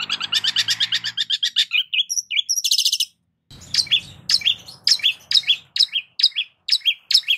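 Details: Long-tailed shrike singing a lure song rich in varied song types: a fast harsh rattling burst, a few scratchy notes, a short pause, then sharp two-part chirps repeated about twice a second over faint low background noise.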